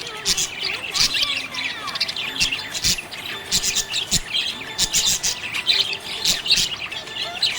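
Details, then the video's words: Happy budgie chirping: busy, unbroken twitter of high chirps, squawky notes and brief whistles, punctuated by sharp clicks and faint low tones beneath. "Happy budgie chirping sound"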